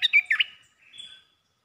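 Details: Red-whiskered bulbul giving a short bright song burst: a few quick warbled notes, then a fainter thin whistle trailing off, with silence around it.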